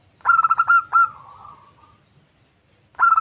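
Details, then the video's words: A zebra dove hen calls a male, a sound used to lure birds: one rapid phrase of pulsing coo notes fading into a soft trailing coo, with a new phrase starting at the end. "Suara Perkutut Betina Memanggil Jantan"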